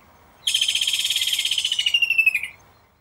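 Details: Kingfisher giving a rapid, sharp trill of about twenty clipped notes over two seconds, high-pitched and sliding slightly downward toward the end, against a quiet background.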